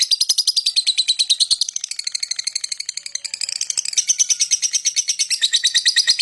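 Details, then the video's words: Lovebird singing and chirping to lure other birds: fast continuous chatter of high buzzy notes, about three per second, shifting in pitch midway and running unbroken throughout. "lovebird singing & chirping sound to lure other birds chirping"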